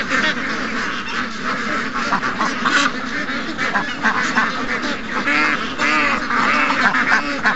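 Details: A morning rush of more than 700 ducks and geese on August 12th, 2015: loud overlapping quacks and honks, some nasal calls ringing clearly above the crowded chorus.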